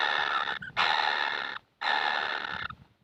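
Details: Kingfisher nestlings ask for food with two long, noisy, wheezing rasps of similar length, split by a clear gap, with faint knocking sounds underneath.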